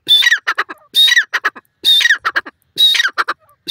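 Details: Grey francolin repeating its call: four phrases, each a sharp whistled note dropping into a squawk followed by three or four short harsh notes, spaced about a second apart.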